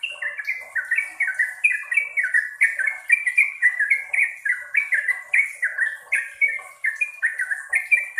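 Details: Yellow-vented bulbul singing long, continuous bursts: fast, bubbly phrases of falling, slurred notes repeated several times a second without pause, steady and loud across eight seconds, over a faint high background hiss.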